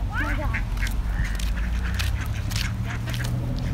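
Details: Angry ducks at Plymouth Rock at sunset, reacting to a person: loud harsh quacks at the start over heavy low rumble and people's voices.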